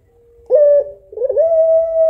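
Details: Female puter pelung, a long-cooing African collared dove, calling the male in a mournful voice: a faint low tone, then a loud wavering coo settling into a long steady note that runs to the end.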